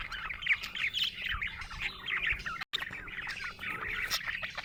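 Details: Happy budgie giving a busy warbling chatter of high chirps and slightly squawky notes, broken by one brief silent cut midway.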